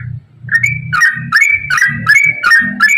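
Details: Yellow-vented bulbul singing fast ropel song meant to prompt other bulbuls to sing: quick, liquid, chirpy phrases repeated about every third of a second, each a rising then falling slur, over a faint low hum.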